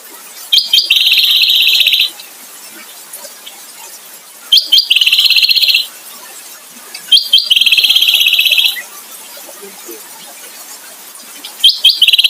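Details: Kecial (white-eye) kombo song made of loud, high, buzzy trills, each about one and a half seconds long, given every two to three seconds with short sharp notes leading into each one.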